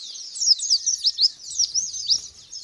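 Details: Lure song meant to provoke a white-eye into responding and wing-spreading: a continuous high-pitched warble of quick chirps and up-and-down slurs, with louder bursts roughly every quarter second.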